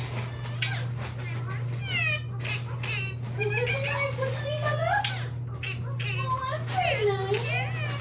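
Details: A pet talking Indian ringneck parakeet indoors in winter chatters in high, speech-like phrases mixed with swooping whistled notes, over a steady low electrical hum.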